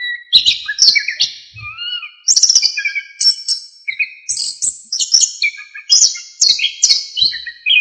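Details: Loud, lively, full-phrased Orange-headed thrush singing, kept as a model for training cage songbirds. Dense, fast sequences of high chirps, whistles and slurred notes repeat with little pause.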